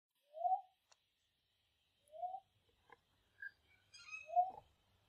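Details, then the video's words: Two young male Australian lyrebirds squabbling over territory, one later chasing the other: a lyrebird gives three short, mid-pitched hooting notes rising slightly, about two seconds apart, with faint clicks and brief higher chirps between. "Lyrebirds. Two young males squabble over territory."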